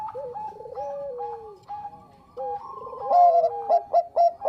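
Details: Bangkok-type zebra dove in a lure recording: quiet wavering coos slide downward in two phrases, then a louder end of short choppy notes repeated roughly twice a second, with another dove faintly audible.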